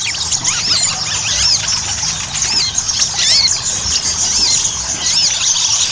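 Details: High, thin twittering song of a ruby-cheeked sunbird, meant to prompt captive birds into singing: fast overlapping squeaky notes with scattered looping up-and-down whistles, continuous throughout.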